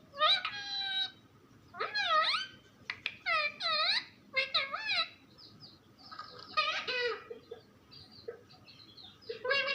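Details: Talking pet parrot in a small room giving a rapid run of bright, harmonic-rich syllables that swoop up and down, broken by short pauses, with a few soft clicks between phrases.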